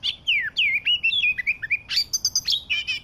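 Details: Oriental magpie-robin of the Medan variety, used to lure birds for trapping, delivers a rapid, varied run of clear descending whistles followed by harsher, scratchy chattering notes, loud and continuous.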